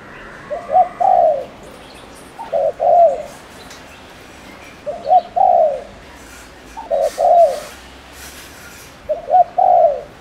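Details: Spotted dove used as a decoy in Ninh Thuận, Vietnam, giving rapid cooing meant to excite males; five phrases about two seconds apart, each two short notes and a long slurred coo, with faint rustling.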